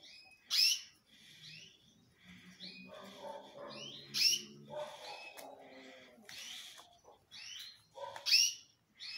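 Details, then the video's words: Canary male in full, loud song. Sharp piercing bursts open and close, and a softer passage of lower, rattling, buzzy notes with whistled slurs fills the middle. "UM AMIGO MEU QUÊ ENTENDE DE CANÁRIO QUÊ MACHOS ME FALOU CANTA BEM FORTE"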